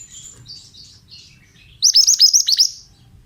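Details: Soft, scratchy warbling of pied bushchat, then a loud, fast series of about eight high, falling whistled notes. Played as therapy to make untrained birds answer.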